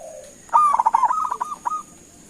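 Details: A single cooing phrase from a local zebra dove calling to provoke an answer: a quick run of bubbling, trilled notes followed by a few spaced, slightly higher coos, over a soft background whine.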